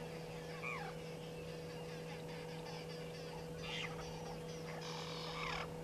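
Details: Two Burchell's starlings fighting at Gowrie dam waterhole, Djuma Game Reserve, Sabi Sand, South Africa, in the afternoon: harsh, scratchy squawks and rasping downward notes in short bursts, over a steady low electrical hum.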